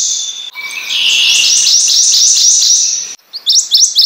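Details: Prothonotary warbler singing: a steady high tone, then a long run of quick, high repeated notes, ending in a few sharp, rising, upslurred notes.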